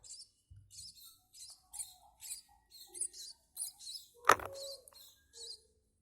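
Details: Munia chicks being fed give rapid, thin, high-pitched squeaky chirps, about two to three per second, with one sharp knock or click partway through.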